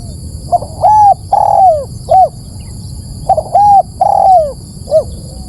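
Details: Spotted dove call used as a lure for birds: two phrases of mellow cooing, each with short hooked lead-in notes, then a long, drawn-out, falling coo and a brief closing note. A faint steady high whine runs throughout.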